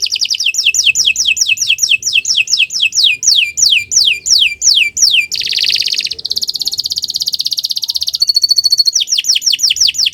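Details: Canary in full song for tutoring other birds: a steady series of downward-sliding notes about twice a second, then a dense rolling trill, a rapid metallic buzz, and more sliding notes.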